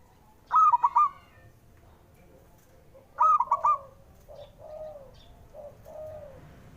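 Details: Male zebra dove call meant to spur quiet birds into singing: two bright staccato cooing phrases about 2.7 seconds apart, followed by softer, lower, drawn-out coos.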